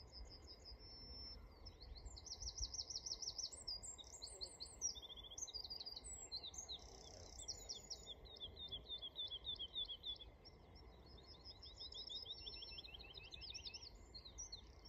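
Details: In the Suffolk Brecks on 23 June 2022, a woodlark sings a long, high run of fluty trilled phrases with quick repeated notes, over a steady faint hum and low wind rumble.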